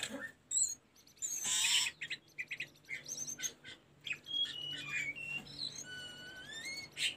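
Sunda robin song: a quick, varied run of high chirps, trills and clear whistles, ending in drawn-out rising whistled notes, with one brief harsh rasp near the start.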